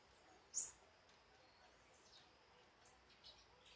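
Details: A female blue-black grassquit sings one short, very high, buzzy note, then a few faint high chips over soft hiss; her song differs from that of a young grassquit.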